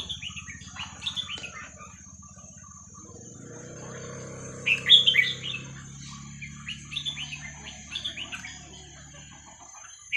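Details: Red-whiskered bulbul song of the 'hua khrok khayao khuat' style, used to teach young birds: short warbled phrases at the start, a loud cluster of quick bubbling notes near the middle, then scattered chirps over a constant high hum and low background drone.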